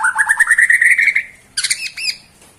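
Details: Borneo white-rumped shama performing in the bowing 'sujud' style: a rapid buzzy rattling trill climbing steadily in pitch for over a second, a short pause, then two brief harsh looping notes, with faint background hum.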